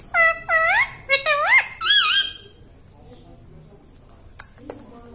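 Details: A pet talking parrot utters five quick, nasal, up-and-down syllables in a word-like phrase, then falls silent apart from faint taps; the bird is known for saying "mummy".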